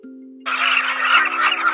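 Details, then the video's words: A go-away bird in South Luangwa, Zambia, gives its namesake call: a harsh, nasal, drawn-out cry lasting over a second, over a steady low musical drone. "This is the go-away bird, named after its distinctive call."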